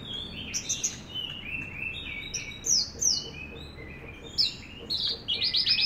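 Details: Javan bush lark, known locally as branjangan, delivers a busy gacor song of varied whistled slurs, falling and rising notes, ending in a fast trilled flourish of buzzy high notes.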